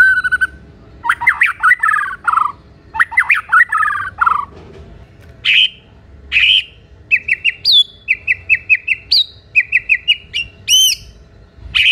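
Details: White-rumped shama singing loudly to draw answers from other shamas: rough rattling phrases and buzzy bursts, then bright whistled notes repeated in fast rhythmic series with a sharp high flourish.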